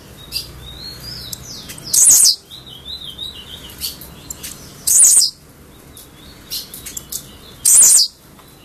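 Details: An albino blue-black grassquit gives a short, sharp, buzzy note about every three seconds, with soft high chirps from other birds in between.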